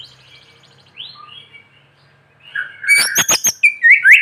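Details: White-rumped shama sunned in the morning, its song used to prompt quiet shamas to sing; after a soft, sparse start, loud sharp clicking notes come in a rapid burst, then bright rising whistles.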